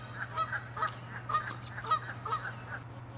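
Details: Fighting Canada geese give quick, evenly spaced honks, about three a second, sharp and nasal, during an angry territorial chase.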